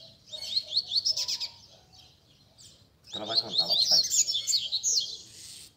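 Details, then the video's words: Double-collared seedeaters kept by bird keepers sing as a group to warm up a competition bird: two bursts of dense high twittering separated by a quiet pause, with a human voice briefly under the second burst. "BADERNA de Coleiros"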